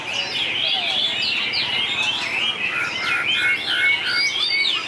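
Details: Contest song of white-rumped shama: loud, dense, overlapping whistled phrases and fast trills run without pause, mixing clear sustained tones with rapid chattering slurs.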